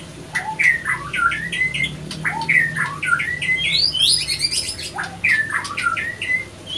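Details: White-rumped shama pair, male and female, attacking one another after an unsuccessful pairing; dense run of harsh squawking chips and rising squeals, some higher shrill notes midway, steady low room hum underneath.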